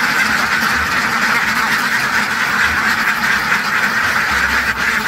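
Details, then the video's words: Ducks quacking nonstop in a dense, harsh chorus. Many overlapping calls blur into a steady raspy wall of sound with no pauses, loudest in the middle range, with a brief sharper click near the end. "SUARA BEBEK WEK WEK SUARA BEBEK KWEK KWEK KWEK KWEK SUARA BEBEK ANGSA SUARA BEBEK KETAWA DUCK SOUND"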